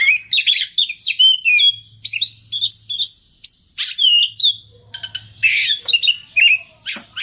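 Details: Oriental magpie-robin singing energetically with a full repertoire of fill-in phrases: varied high whistles, slurred chirps and rapid trills in quick bursts, with a faint low hum underneath.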